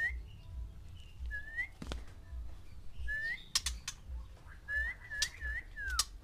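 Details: White-rumped shama, one caged male kept with six females to stir mating: scattered clear whistled notes, some rising and some falling, with sharp clicks and a steady low hum underneath.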